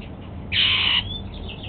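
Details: Pet male Golden-fronted Leafbird breakfasting on apple gives one strong half-second harsh note, followed by a thin faint whistle sliding slightly upward.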